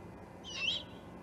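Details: Juvenile great horned owl, Charlo osprey nest, 21 October 2020: one short, hoarse screech that rises then dips and trails off, noisy and breathy, heard over a faint steady hum.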